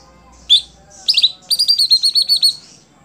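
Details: A caged greater green leafbird, a contest songbird, gives a single sharp note, a short double chip, then a quick run of about ten rapid buzzy notes repeated evenly, over a low background hum.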